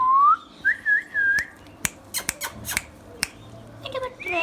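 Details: Indian pet ringneck parrot whistling three or four short, looping notes at the start. These are followed by a series of sharp clicks and knocks in a small room.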